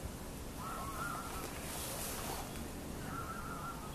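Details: A common shelduck (Tadorna tadorna) in Bingenheimer Ried, Hesse, on 20 February 2015 gives two short, harsh nasal calls about two seconds apart, over steady wind and background hiss.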